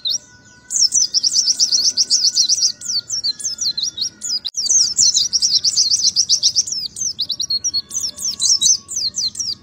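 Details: Oriental white-eye singing in the nembak ngalas style: long runs of rapid, high, sharply rising and falling chirped notes, packed close together in fast bursts with only short breaks, over a faint steady hum.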